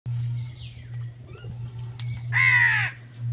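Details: Crows fighting over food: one loud harsh caw about half a second long after faint calls, with a steady low hum throughout.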